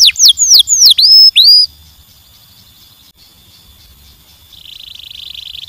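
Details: A canary gives a brief series of loud, hooked, downward-sweeping whistles, then a quiet pause and a soft, rapid buzzing trill.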